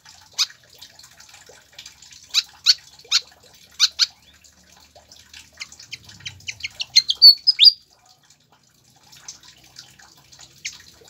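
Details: Recording of pied fantail to get captive birds singing: scattered sharp chips at first, then an accelerating run of bright notes climbing into a thin rising whistle before quieter twitters resume.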